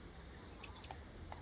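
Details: Vernal hanging parrot, a small Thai parrot, at Kaeng Krachan National Park during pairing and egg-laying; a pair of piercing, very high, thin squeaky notes about a third of a second apart over quiet forest ambience.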